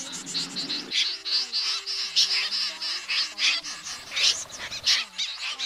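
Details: Common snipe calls played through two speakers to lure flocks into night nets in August: rapid, harsh, scratchy high notes tumble over one another several times a second, with a steady low electronic hum underneath.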